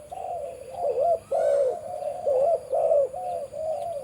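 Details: Breeding male spotted dove with a deep voice, kept on a farm. It gives a run of low, rounded coos in short phrases of two or three notes that blend almost without pause, with faint higher chirping behind.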